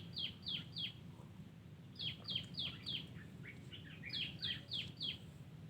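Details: A wild terucuk (yellow-vented bulbul) sings in a garden with three bursts of three to five sharp descending whistles, some softer chattering notes between them, over a low steady rumble.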